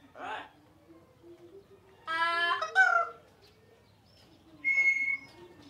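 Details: Parrot calling: a short harsh burst, then a loud rasping squawk with a falling tail around the middle, and a clear level whistle near the end, separated by quiet gaps.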